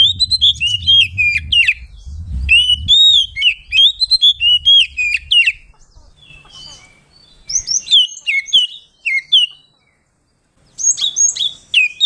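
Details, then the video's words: Oriental magpie-robin singing in the ngeplong style to call a rival and provoke other birds: loud, varied whistled phrases that rise and fall, delivered in rapid bursts, with a pause near the end and a faint low rumble early on. "Suara burung Kacer ngeplong memanggil lawan bikin emosi"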